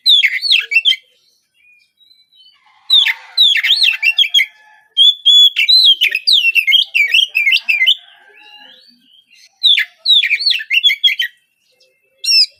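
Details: Morning song of a young spotted Oriental magpie-robin (kacer trotol), used as a lure to start other birds singing: bursts of rapid, varied whistles and chirps separated by short silences, the longest run lasting about three seconds.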